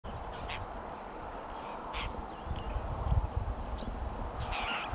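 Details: Apostlebird near Jondaryan, Queensland, giving three short, harsh, rasping calls spaced a second or more apart, over a steady low rumble of wind or distant traffic.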